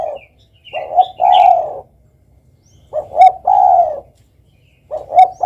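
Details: Derkuku or tekukur, the spotted dove, cooing steadily: short double notes leading into a sustained low coo, repeated roughly every two seconds, with faint higher chirps from another small bird at the start.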